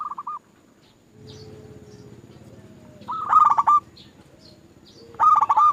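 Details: Zebra doves singing on a lure recording used to provoke other doves: a faint phrase opens, then a low steady hum in the background, followed by two loud stammering cooing phrases.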